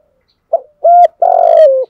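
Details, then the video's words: Spotted dove coo phrase, styled gáy bài bản: a faint short note, a steady hollow coo, then a longer loud note sliding gently downward at the end. "cu gáy bài bản, thúc gù gáy gọi kích là gáy luân"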